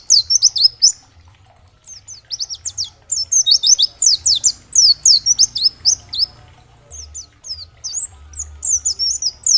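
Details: Training song of a dakbal-type oriental white-eye, aimed at prompting other white-eyes to reply and sing: lively, high-pitched twittering phrases of rapid slurred chirps, several bursts separated by short quiet breaks.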